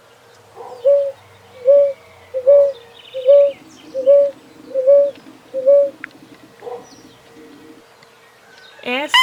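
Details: Rolinha (ground dove) gives a steady series of short, soft, low coos, about one every second.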